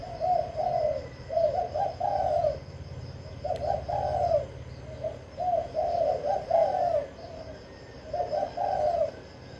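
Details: A caged spotted dove in Vĩnh Long, Vietnam, kept to stir up wild doves, sings repeated bouts of deep, throaty coos, each phrase of two to three notes, evenly spaced through the recording.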